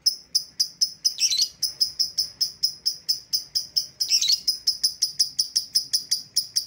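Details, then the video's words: Calls to lure back an escaped lovebird: continuous fast series of shrill, clipped chirps, roughly four per second, with two short raspy bursts mixed in. "suara pikat lovebird yang lepas"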